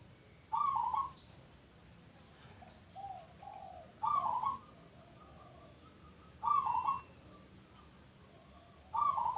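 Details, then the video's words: Local zebra dove singing actively: loud trilled, bubbling coos repeated roughly every two to three seconds, separated by brief softer, lower cooing notes, against quiet background hiss. "Bunyi Perkutut Lokal"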